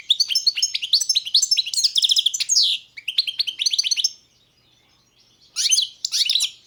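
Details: Balkan goldfinch (Carduelis carduelis balcanica) in long, fast twittering song full of rising slurred notes and buzzy trills, followed by a silence of about a second and two short chattering bursts.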